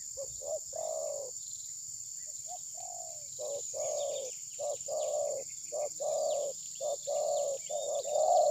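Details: Spotted dove used as a trapping decoy, reluctant to attack its rival, possibly moulting. Phone recording of repeated low hollow cooing phrases, roughly one per second in uneven runs, over a continuous high insect drone.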